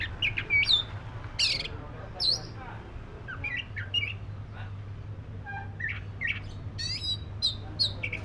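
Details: Song of a black-breasted Oriental magpie-robin, a busy run of sharp chirps, rising whistles and scratchy notes over a constant low hum.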